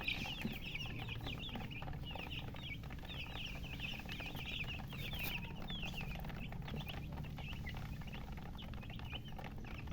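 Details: A group of thirsty baby chicks calls for water with rapid, high piping chirps, many overlapping peeps rising and falling steadily over ten seconds, above a low droning background.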